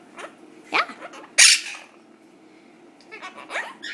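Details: Two pet monk (Quaker) parakeets, being taught to count and sing a song with cockatiel names, chatter in short voice-like squawks, one loud rasping burst midway and softer rapid chatter near the end.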